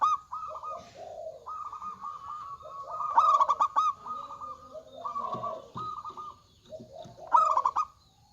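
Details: Several local zebra doves, males and females, calling in a busy chorus: overlapping level purring coos at two pitches with repeated loud stuttering bursts of rapid notes.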